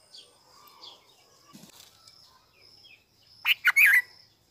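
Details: Newborn bulbul chicks being fed by a parent: soft scattered chirps, then a loud cluster of harsh, buzzy bursts near the end, over a steady high insect-like hum.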